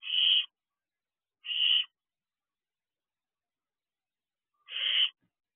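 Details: Barn owlet at its nest box at night, June 2023; three rasping, hissy screeches, two close together then a longer pause before the third, with quiet surroundings.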